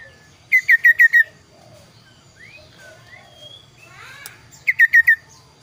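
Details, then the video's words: Kaso-kaso bird with two rapid runs of five crisp descending whistles about four seconds apart. Softer slurred chirps and a brief rising buzz fill the gap, over a low background hum. "burung kaso kaso tampil dua suara variasi"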